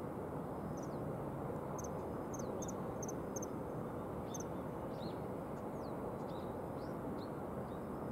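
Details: A pair of common kingfishers on the Oita River, recorded on 16 November at 8:08 am, give thin, shrill, high piping whistles repeated irregularly, half-buried under the steady roar of rushing river water.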